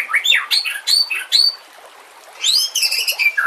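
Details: White-rumped shama song used for training other birds, with water sounds: high sharp upslurred whistles and chips, a pause, then a dense burst of ringing notes.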